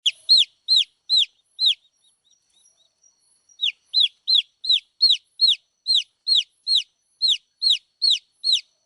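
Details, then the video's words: Baby chicks peeping: loud, high, downward-arching notes in steady runs of about two or three per second, with a brief quiet gap early on before the chirping resumes. "chicks chirping sound"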